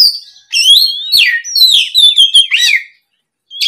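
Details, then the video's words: Afternoon oriental magpie-robin song used as a lure: a busy run of loud whistled slurs and rich warbled notes over about two and a half seconds, then a pause. "SUARA PIKAT BURUNG KACER GACOR NGEPLONG SORE, MEMANCING KACER BAHAN AGAR LEKAS BUNYI NYAUT & GACOR!"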